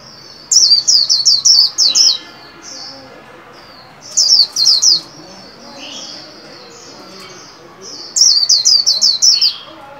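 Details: Caged white-eye being trained to sing around the new year: three bursts of rapid, high, falling whistled notes about every four seconds, with softer thin whistles between.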